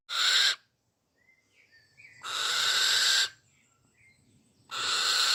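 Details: Female barn owl giving three loud, harsh, hissing screeches, each half a second to a second long and spaced by quiet gaps, with faint thin chirps and a low background rumble between them.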